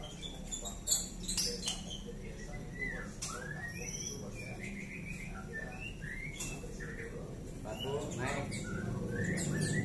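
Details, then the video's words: Five-month-old captive juvenile white-rumped shama of Bahorok lineage singing: varied whistled notes sliding up and down in curved phrases, interspersed with short chirps, while people talk in the background. "TROTOL MURAI ZOMBI CERDAS, MURUT DI SURUH HADAP KAMERA."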